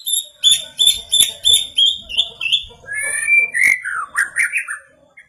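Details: Agitated white-rumped shama reacting to a played sound, giving a rapid series of clear ringing whistles, then longer sliding whistled phrases and buzzy notes toward the end.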